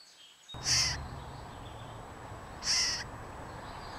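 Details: California scrub jay at its nest, filmed with a GoPro Hero3+ action camera in early April: two harsh, raspy, broadband calls about two seconds apart, each short and buzzy, over a steady low background hum.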